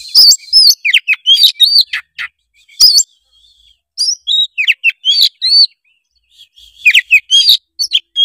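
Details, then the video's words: White-rumped shama singing continuously, used as a prompt for a lazy juvenile: high whistled notes, upward flicks and sharp clicks in dense phrases, broken by short pauses. "suara kacer gacor ngeplong pancingan kacer malas trotol menjadi gacor"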